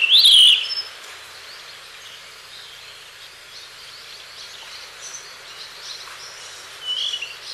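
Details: Blue rock thrush in a library recording: a bright, wavering whistled phrase opens the clip, followed by a long near-silent stretch of soft background hiss and a short whistle near the end.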